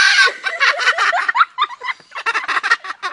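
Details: Cockatoo in a zoo laughing to amuse visitors, a rapid run of harsh raspy cackling syllables that break into choppy repeated laughs, with a person's voice nearby.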